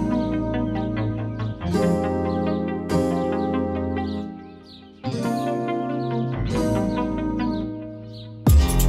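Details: Loud instrumental music with sustained bass tones and struck, chiming chords that swell and fade in repeated phrases, ending in a sudden loud burst; no animal sound.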